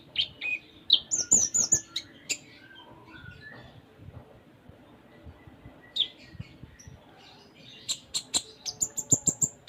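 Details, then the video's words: Kolibri ninja (konin) in full-isian song: bursts of thin high chirps and whistles, a quiet gap, then a fast series of sharp ticking notes at the end. "Konin Gacor Full Isian"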